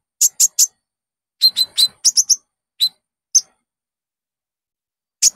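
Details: Konin song used as a lure to get caged birds singing: short, sharp high chirps in quick clusters of two and three, separated by brief pauses, with a final lone chirp after a longer gap.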